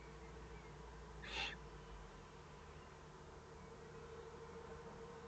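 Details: Owlets give a single harsh, hissing screech lasting about a quarter second as a threat or warning, over a steady low mechanical hum; recorded 22 May 2015 at 20:42, in the evening.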